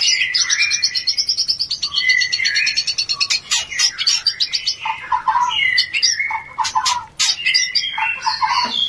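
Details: Oriental magpie-robin mating call used to raise breeding urge: a fast, high rattling trill opening a long varied song of whistles, chirps and clicks, rich and continuous, with lower slurred notes later.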